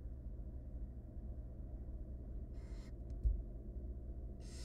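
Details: In a wild barn owl nest box, three tiny nestlings beg as their mother feeds them; after a quiet stretch comes a breathy hiss, a couple of brief ticks, then another hiss rising at the end, over low hum.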